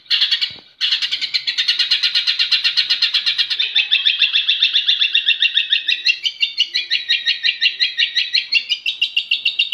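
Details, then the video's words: Long-tailed shrike singing as a lure to set other shrikes responding: after a brief click, an unbroken, very rapid buzzy trill runs for nearly ten seconds, slowly climbing and becoming more clipped toward the end. "Cendet Manapun Pasti Ikut Nyaut Dan Gacor,Masteran Cendet stres pasti ikut bunyi"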